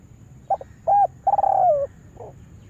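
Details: A decoy spotted dove, trained to lure wild doves into a trap in a yard, gives one full coo phrase: two short coos, then a long wavering coo that falls at the end, with a soft trailing note.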